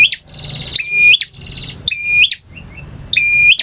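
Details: Male bar-winged prinia singing full variation in the ngotot, ngalun and kristal styles. Loud, close phrases of rattling buzz and piercing level whistles, each cut off by a hard click, come roughly once a second.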